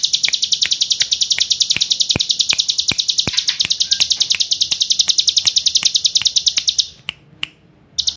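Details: Hill prinia, in gacor form, pouring out its non-stop 'ngebren' trill, dubbed an AK47 burst: a fast, shrill stream of repeated notes for about seven seconds, then a short pause, two soft notes and a brief restart.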